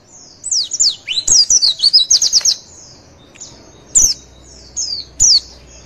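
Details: Javan white-eye in a training recording for competition birds: a quick cascade of high, sweeping chirps and trills, followed by a few isolated sharp notes spaced about a second apart.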